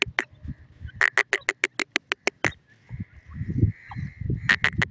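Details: Grey francolin in forest, a series of sharp clicking notes about five per second, a sustained whistled tone, then low rustling and more clicks.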